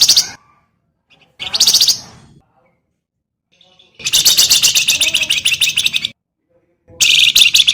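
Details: Javan grey-throated white-eye, a master singer for training cage birds, delivers harsh, rapid buzzing rattles, one sustained for about two seconds, between short silent gaps.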